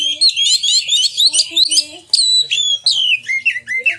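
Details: Lure song of an Oriental magpie-robin, used to make other magpie-robins open their tails and sing: dense, loud high chirps and slurred whistles, with lower tonal notes faintly mixed underneath.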